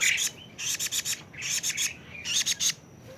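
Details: Raspy, chattering bursts from a 41-day-old plaintive cuckoo. Short groups of three or four dry, buzzy pulses come about once a second, with a few faint thin notes between them.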